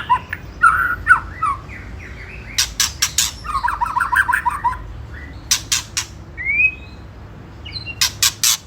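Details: White-rumped shama song used as a lure to provoke rival birds, in the rattling ketrekan style: sharp clicks in short bursts between warbled whistled phrases, with a rising whistle near the end, over low background hum.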